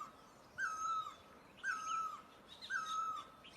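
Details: Great barbet in Asia giving three drawn-out, slightly descending mewing notes, one per second, over a quiet background with faint higher twitters.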